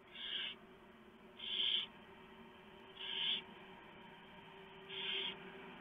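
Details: Male barn owl delivers a huge mouse to the nest at night, November 2015, and the female shreds it for the owlets. A run of four coarse, noisy hissing bursts about every one to two seconds, some louder than others.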